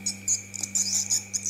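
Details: Swiftlets from a colony outside a swiftlet building give rapid, high, buzzy chirps in short bursts, several a second, over a steady electrical hum from the playback.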